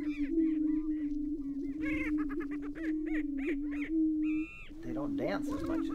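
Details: Greater prairie-chickens at a lek in Tympanuchus Wildlife Management Area, northwest Minnesota, on a frosty April 2019 morning, with males facing off. A steady low droning hum runs throughout, overlaid by bursts of harsh, stacked cackling notes.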